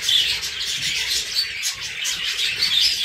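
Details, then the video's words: Several budgerigars, alongside named cockatiels, keep up a steady overlapping twitter of scratchy chirps and short high whistles with no pauses, a busy group warble filling the whole stretch. "papagali peruși #nimfe#budgies song"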